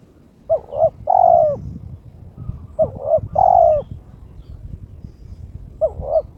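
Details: Spotted dove in breeding condition, kept by its owner, cooing to challenge an opponent. Phrases of two quick soft notes then a drawn-out coo repeat roughly every two and a half seconds, with low rumbling noise beneath.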